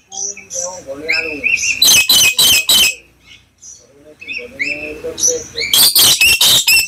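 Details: Black lory (nuri kelam) lure sound meant to make other lories call: thin whistles and squeaks, then a rapid series of harsh, grating screeches. After a pause, more whistles lead into another burst of repeated raspy screeches.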